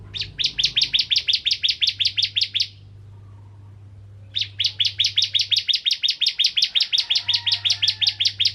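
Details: Ciblek kristal or bar-winged prinia delivering a song used as a lure for other prinias, with two long, dense trains of fast, sharp high chirps split by a brief silence, over faint steady hum.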